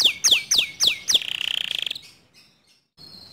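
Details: Canary song said to provoke rival canaries to sing: five loud falling whistles, then a fast buzzy trill that fades into near silence with faint distant high notes.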